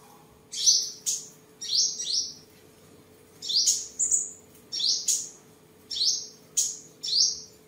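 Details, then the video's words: A caged tame sunbird from Tân Phú, Vietnam, singing, dancing and sparring on 23 July 2022, utters paired high, thin, downslurred squeaks, pairs repeated roughly every one and a half seconds against quiet. "Chim Hút Mật 7 Màu Thuần Ngày 23/7/2022 Hót, Múa, Đấu Đá"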